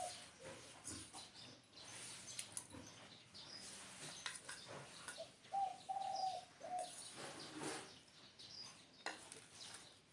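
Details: Spotted dove giving a short phrase of low, hollow coos midway through, one slightly longer note between shorter ones, against frequent high-pitched chirping and rustling from other sources.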